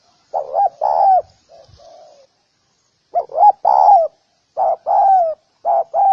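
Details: Spotted dove cooing: mellow low phrases, each a short clipped note followed by a longer drawn-out coo, with a fainter, softer phrase between louder ones; quiet background.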